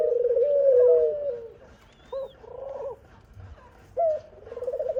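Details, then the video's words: Dove (khumra bird) mother feeding her baby: low, soft drawn-out, slightly wavering coos in several separate phrases, with a faint higher chirp between them. "Khumra bird mother feeding her baby | khumra birds voice | dove birds sound"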